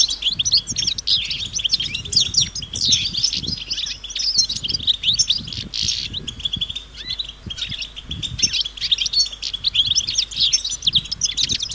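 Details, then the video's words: Many European goldfinches chattering together outdoors, mating and readiness calls meant to break a male's silence: sustained fast twittering, tinkling notes and short buzzes from overlapping birds, faint low thumps. "بتبتة جماعية رهيبة للحسون وسط الطبيعة"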